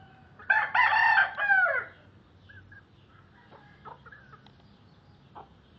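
A Serama rooster gives a short, harsh crow, rising then falling, followed by a few faint clucks.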